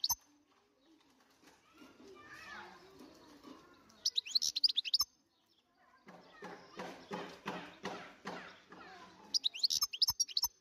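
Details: Wild European goldfinch singing, recorded in 2023: two loud bursts of rapid, high, tinkling twitter, each about a second long, separated by stretches of low murmuring voices and background noise.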